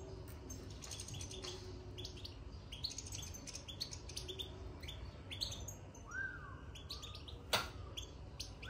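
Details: Caged European goldfinch twittering soon after entering its cage: bright, high chirps in quick clusters, then a clear, lower whistled note that rises and falls, over a steady low hum and a sharp knock.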